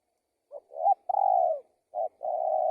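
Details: Spotted dove calling: a short soft note, a rising coo, a long hoarse purring coo sliding down, then two more coos in a steady mid-pitched phrase, clean with no other sounds.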